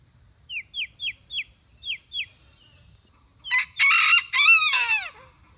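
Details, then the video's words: A small bantam rooster gives a loud crow. A run of six high, quick, down-slurred chirps comes first. The crow is a raspy, harmonic cock-a-doodle in two parts, and the drawn-out final part sags downward as it ends. "Bantam Rooster Crows!"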